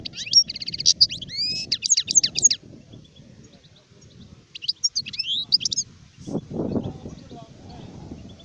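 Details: Song of an adult European goldfinch: quick, sweet, twittering phrases with slurred whistles and rolling trills, sung in two bursts with a short gap. A low rumbling noise surges near the end.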